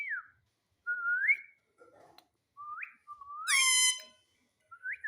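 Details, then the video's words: Indian ringneck parakeet, a pet in India taught to say mummy and papa, giving clear rising whistles about every second, one ending in a loud harsh squawk, in a quiet room. "Talking Parrot Mummy Papa"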